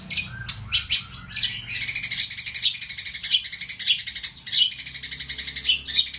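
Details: White-rumped shama singing in a sparrow-like style, with a dense, fast stream of high chirps and harsh chattering notes running almost unbroken, preceded by a few separate sharp calls.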